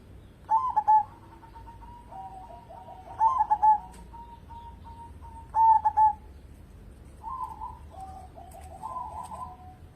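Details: Singing local zebra dove used to lure other birds into song. Three crisp phrases of quick mellow coos with sustained tones between them, ending in softer, rolling, trill-like notes.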